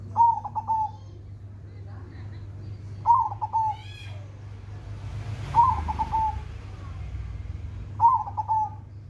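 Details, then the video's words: Zebra dove (perkutut) giving four separate song phrases about three seconds apart, each a fast stuttered cluster of soft coos trailing into a drawn-out note, with brief chirps and a low background hum between phrases. "burung perkutut gacor"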